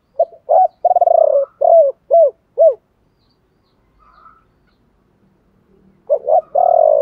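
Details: Spotted dove, chiêu ba hậu song used to trigger singing in other doves: brief hoots, a long vibrating coo and three descending coos, a quiet gap, then the phrase restarts with a sustained coo.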